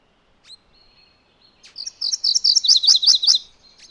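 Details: After a few soft faint notes, a MacGillivray's warbler bursts into a quick two-part song: a string of sharp high chirps followed by a slightly lower, tighter series of chips.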